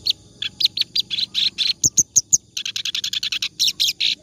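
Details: Clamorous reed warbler singing continuously as a model for other birds: rasping chirps, then three clear high whistled notes, then a fast run of scratchy notes.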